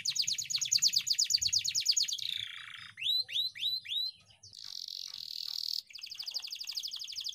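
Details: Ngeroll-style canary song, long and rolling, played to teach young canaries: rapid buzzy trill, four downslurred whistled notes, a rasping hissed tour, then another fast trill.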